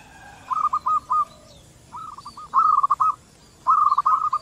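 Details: Local zebra doves calling in exchange. A short run of three soft coos is followed by two longer, rolling phrases of rapid purred notes, each rising slightly in loudness.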